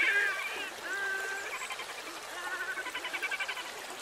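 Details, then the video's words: Red-necked grebes in fighting and courtship display give squealing, wailing notes followed by a quick run of pulsed chatter, with faint water sounds. "Red-necked Grebes fighting & courtship display"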